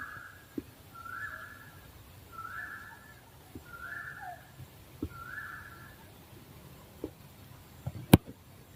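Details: Owl giving a run of level whistled hoots, evenly spaced about every second, then falling quiet while scattered clicks and a sharp knock follow.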